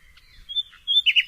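A nightingale gives a brief song fragment: a thin, steady high whistle, then a rapid burst of rich, slightly buzzy notes. No other sounds are heard.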